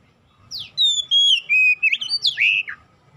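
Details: Single phrase of oriental magpie-robin song, used as a lure for untrained birds: a falling chirp, then sustained clear whistles stepping downward, ending in rapid twisting notes and a steep downslur.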